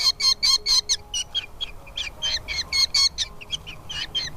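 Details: Falcon chicks in the nest as the mother brings food to feed them: rapid, harsh, high chirps in dense bursts of about two a second, some overlapping, over quiet background.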